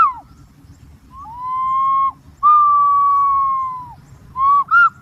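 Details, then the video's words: Long, smooth whistles from a green pigeon. Each sustained note holds steady and curls downward at the end, followed by two short upslurred notes. Quiet low-pitched background noise. "suab nquab ntsuab quaj zoo tiếng cu xanh keu"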